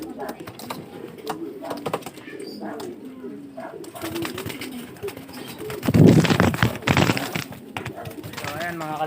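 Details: Several racing pigeons (Columba livia) coo indoors in low, soft, rolling, overlapping bursts, with handling noises and a person speaking near the end.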